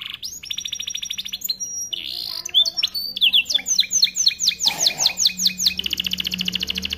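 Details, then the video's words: Canary, an AF starblue colour male in full song, used as a tutor for young canaries: rapid trills and rolling repeated notes, fast buzzy pulses, then a long run of quick rhythmic chips; faint low hum beneath. "Kenari AF warna starblue gacor lagu unik mewah untuk masteran kenari paud"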